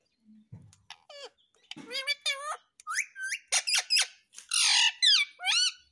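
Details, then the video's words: Pet parrot talking indoors: a run of high, squeaky, speech-like syllables with rising and falling inflections, some harsh bursts, following a spoken word from a person. "प्यारा मिट्ठु सब बोलता है"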